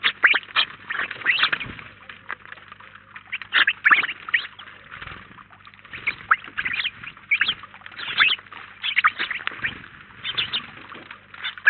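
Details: Around nineteen house sparrows at once at a feeder in Collado Villalba, Spain, keep up a steady chorus of quick chirps in short clustered bursts, rising and falling in loudness throughout.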